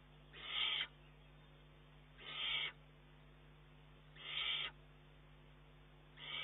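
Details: Eurasian eagle-owl chick, 19 June 2011, begging from its mother and pushing her to hunt more; harsh hissing screeches, each about half a second, repeated roughly every two seconds.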